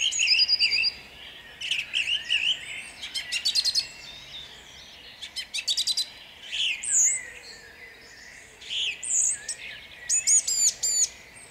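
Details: Song thrush at dawn in Jabłonna, 29 April 2021, pouring out a long sequence of distinct phrases, many made of a note repeated several times in quick succession, with short pauses between.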